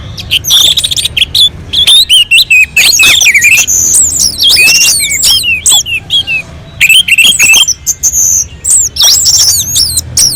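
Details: On a mountain slope, an orange-headed thrush sings to draw other birds into singing: energetic strings of high whistles, downslurred notes and sharp chips in several bursts with brief silences between.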